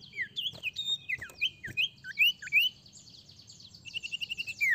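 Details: Golden-bellied Gerygone (sirtu) singing high, thin whistled notes, several slurring upward, ending in a quick run of sweet repeated notes over a faint low rumble; offered as a lure sound to make sirtu sing quickly.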